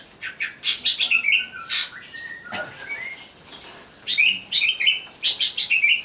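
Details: Greater green leafbird provoked into singing while agitated: bursts of rapid, bright chattering and whistled notes, fast trills and slurred phrases. A pause near the middle holds a single sharp click, then lively chattering phrases resume twice.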